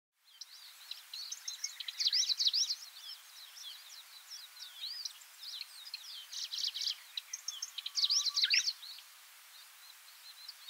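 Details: Styan's grasshopper warbler singing on Miyake-jima, Japan, recorded about twenty years ago; two loud, dense, scratchy chattering bursts near the start and again later, with fainter high chirps and twitters filling the gaps between phrases.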